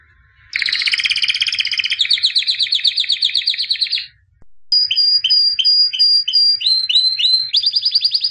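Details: White albino canary singing, described as a 2017 champion, in rapid trilled tours: a dense buzzy roll for about four seconds, a brief pause, then repeated whistled syllables with downward sweeps and a fast closing trill, high-pitched throughout with no other sounds.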